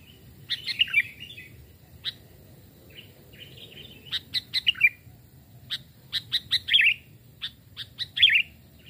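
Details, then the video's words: Hand-raised caged sooty-headed bulbuls, a smaller and a larger type, sung in a forest voice test as lure birds; clipped sharp chips and short slurred falling warbles, irregular, building into quick runs of notes. "burung kutilang pikat||tes mental dan suara saat di hutan 2 jenis Burung Kutilang"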